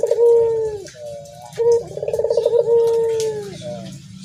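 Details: Cooing dove: a falling whistled tone, a soft middle note, then a bright note leading into a fast vibrating trill and a long gliding finish.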